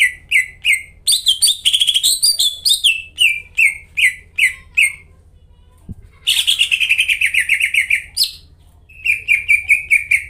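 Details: Greater green leafbird, a caged bird used as a lure to prompt silent or stalled leafbirds to sing: loud bright chirps and whistled notes repeated rapidly, with a long rich warbled phrase sliding downward, then more quick chirps; faint hum beneath.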